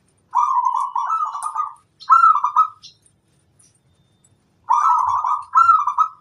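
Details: Singing local zebra dove kept as a master bird: paired trilled coo phrases, a longer rolling one followed by a shorter one with a rising start, repeated after a pause; otherwise quiet.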